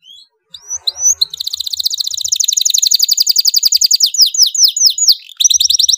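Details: Domestic canary, loud singer kept to teach young canaries, opening with a few soft rising whistles, then a long fast trill of repeated high notes that slows into spaced downslurred whistles before another quick roll.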